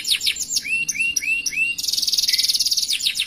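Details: Canary song in the 'cengkok mewah' style: quick high downslurs, then three clear upward-slurred whistles, breaking into a dense, buzzy, very fast roll that pulses evenly to the end.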